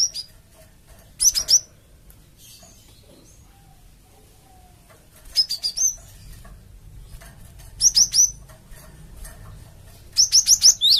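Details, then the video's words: Lure call of the Java sparrow, played to provoke a flock into answering: bursts of three to five sharp high whistled chirps separated by quiet pauses of several seconds, with a faint low hum beneath. "BURUNG GELATIK OMBYOKAN PUN LANGSUNG NYAUT DENGAR INI PANCINGAN BURUNG GELATIK BAHAN"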